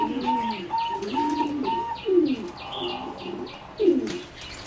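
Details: Competition-bred singing zebra dove in a flight aviary, 30 April 2014: low arched cooing phrases with sharper accented notes, while a steady whistled tone repeats in short bursts and light chirping from other birds runs above.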